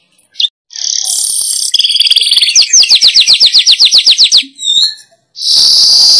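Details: Weaver sound used to lure wild weavers: buzzy, scratchy opening notes, then about fourteen quick, down-slurred chirps, a short pause, and a strong sizzling buzz.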